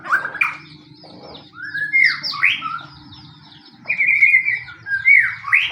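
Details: White-rumped shama song of the fighting type, used as bait to provoke other shamas into singing: rich whistled phrases that rise and slur between low and high notes, in two bursts separated by a quiet pause.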